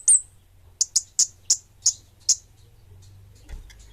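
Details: Kemade bunga api, or orange-headed thrush, giving one high slurred note followed by six separate sharp, very high chips spaced roughly a third of a second apart, then quiet with faint low hum.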